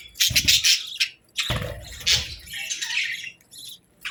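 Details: Budgerigar chirping in the morning: bursts of scratchy, high chatter and short squawks, broken by brief pauses, with low thumps under two of the bursts.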